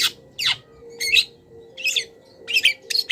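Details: Long-tailed shrike training song with mimicked wild-bird phrases: harsh downward-sweeping notes alternating with scratchy, buzzy bursts, about one phrase every half second or so.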